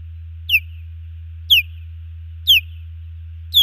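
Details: A female osprey at a nest in Missoula, Montana's Hellgate Canyon calls during a male's defence against an intruding osprey, June 2019, nest camera. Evenly spaced high, clear, falling whistles roughly every second, four in a row, steady background hum.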